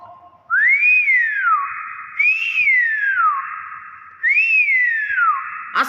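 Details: Nias hill myna giving three loud, clear whistles, each rising then sliding smoothly downward, spaced about two seconds apart in a quiet indoor setting.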